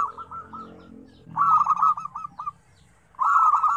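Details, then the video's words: Zebra dove song, lively, with five combinations of different tones: a softer run of coos fades, then a loud phrase of quick, rolling, stuttering coo notes, and a fresh burst begins near the end. "SUARA PERKUTUT RAME 5 KOMBINASI DENGAN NADA BERBEDA-BEDA"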